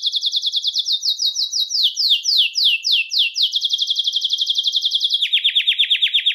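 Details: Belgian canary singing to attract and call canaries: rapid rolling trills of high, repeated notes that shift through several tours, from fast buzzy rolls to slower, wider descending sweeps, ending in a steady lower trill.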